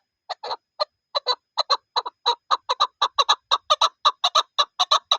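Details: Chukar partridge, named in a hunting context, giving a fast run of harsh, clucking chuck notes at about two per second, speeding up and growing more regular toward the end, with no other sounds.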